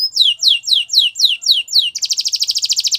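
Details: Gloster canary singing for training, a row of loud downslurred whistles about four per second, then a fast high buzzing trill.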